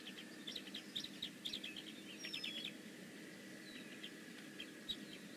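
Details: At the Decorah North nest on 15 May 2017, a bald eagle gives quick strings of thin, high chirps for about three seconds, then a pause and one last sharp note, over a steady hum.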